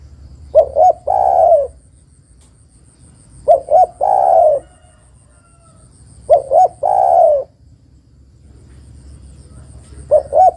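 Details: Repeated calling of a female spotted dove to attract a male: phrases of two clipped coos leading into a long, slightly descending coo, roughly every three seconds, the last phrase cut short.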